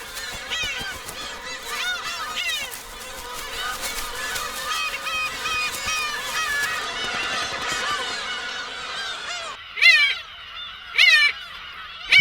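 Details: Black-tailed gulls at a dense breeding colony of over 20,000 birds on Hongdo island, Tongyeong, Korea, in spring, nests under 1 m apart; overlapping nasal, cat-like mewing cries with a few louder, sharper calls near the end, during pairing, courtship feeding and mating.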